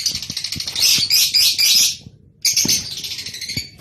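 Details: Breeding-stimulation calls of Rosy-faced and Fischer's lovebirds: a rapid, rattling stream of high, scratchy twittering that swells louder, breaks off briefly, then resumes, with faint low taps beneath.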